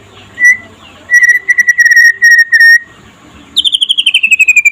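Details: White-rumped shama of the trotol variety singing in daytime, played to prompt other shamas to sing: a single whistle, then a burst of stuttered high notes at steady pitch, a pause, and a rapid descending trill of bright notes.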